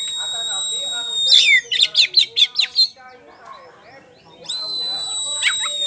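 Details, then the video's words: A champion caged Oriental magpie-robin (poci) holds a long steady whistle, breaks into six rapid sharp notes, then resumes another sustained pure whistle, in ngeplong style. "PANCINGAN KACER POCI JUARA NGEPLONG GACOR"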